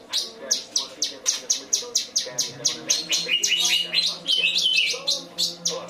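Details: Cucak cungkok performing kinoi-style song material, opening with a long evenly spaced series of crisp high chip notes, then a burst of tangled warbling twitters and short descending whistles, with a soft background hum.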